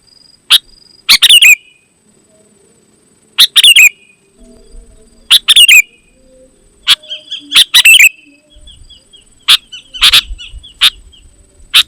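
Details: Sooty-headed bulbul song meant to draw wild bulbuls and prompt captive ones to answer: clusters of bubbly, slurred chirps every couple of seconds, with scattered single sharp notes and faint low background sounds.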